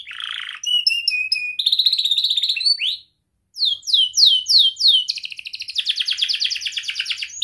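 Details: Tight-rolling 'rol rapat' song of a young canary, used to teach young birds: a buzzy burst, a quick whistled trill, a brief pause, clear downslurred notes, then a long dense high rattle.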